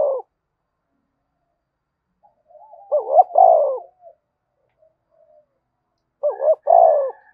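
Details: Spotted dove giving a vigorous thúc bổi style coo, meant to make other doves call: two low hooting phrases about three seconds apart, each a quick stuttered double note followed by a longer rolling coo, with near silence between.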